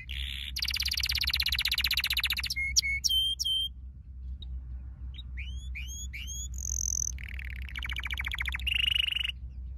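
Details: Canary song used to train pet canaries to sing: dense rolled trills broken by short clear whistled pips, a pause, then quick upswept notes, a high whistle and more rolling trills, over a low hum.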